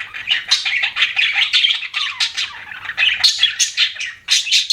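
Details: Budgerigar chirping rapidly: repeated scratchy, buzzy warble notes and squeaks in a dense, steady stream.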